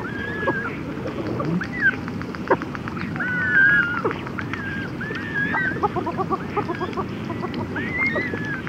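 Red-gartered Coots, chicks and adults, trading thin whistled peeps and short nasal notes with a quick stuttering trill, over a low wash of background noise.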